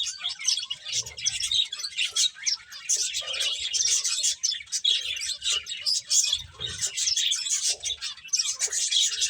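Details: A flock of finches eating and chirping steadily, bright high-pitched tweets tumbling over one another throughout, with occasional soft lower sounds and light thumps in the background.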